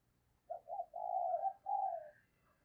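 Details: Spotted dove lure bird gáy call: two quick hoots, then two long smooth mellow coos, the last slightly higher, with faint background rumble.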